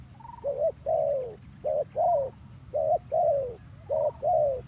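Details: Zebra dove lure call meant to provoke birds that won't sing; rhythmic cooing phrases, each a short note followed by a longer falling trill, repeated three times in steady sequence, with a persistent high electronic whine.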